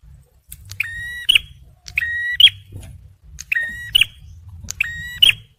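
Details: Male bar-winged prinia song, for luring and prompting stressed birds: four evenly spaced phrases, each a level buzz that ends in a high, sharp click, every second and a half against faint low noise.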